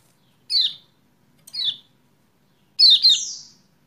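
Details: Kecial kuning lure sound for a bird that has gone quiet: two separate high, falling chirps about a second apart, then a longer, louder doubled phrase with a sweeping high whistle layered over it.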